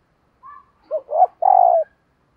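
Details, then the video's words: Spotted dove decoy bird cooing in the morning to lure wild doves: a short soft note, then two hoarse rising notes and a long buzzy, slightly falling coo. The background is quiet. "Tiếng Chim Cu Mồi Thúc Và Gáy Gọi Bổi Vào Buổi Sáng"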